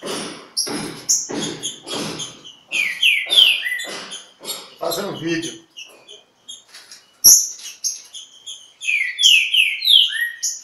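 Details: Green-winged saltator singing at Pedra Azul, disputing with a free-living bird; several bright whistled notes near the start and again near the end, between dense broadband bursts resembling human speech and a sharp click.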